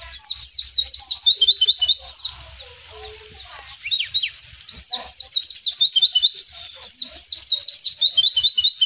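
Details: Mountain white-eye singing freely outdoors in 'gacor ngalas' style, bursts of very fast high twittering and falling chirps, a short quieter gap with a few lower notes, then renewed rapid chatter.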